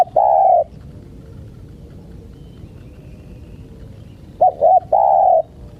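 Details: Spotted dove (tekukur) used to lure wild birds, giving a long mellow coo at the start and, after a quiet gap, a full phrase of two quick clipped notes followed by a drawn-out hollow coo.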